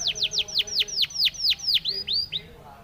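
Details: Spanish timbrado canary song for training canaries: a series of about twelve sharply falling whistled notes, roughly five per second, slowing and softening toward the end.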